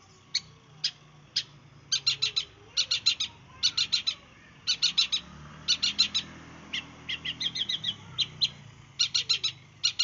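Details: Long-tailed shrike from East Java singing the bursting 'sembur' style used to lure other birds: quick clusters of two to four sharp, clicking high notes, repeated in bursts over ten seconds, with a low background hum.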